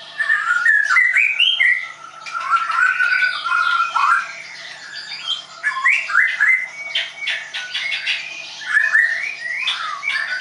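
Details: White-rumped shama, a bird-school student bird in Tangerang, singing a continuous medley of quick whistled slurs, chattering notes and short rising phrases, repeated several times per second.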